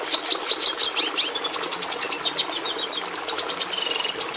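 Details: Red siskin (Carduelis cucullata) song, an unbroken stream of rapid high chirps, twittering runs and buzzing trills that speed up toward the end.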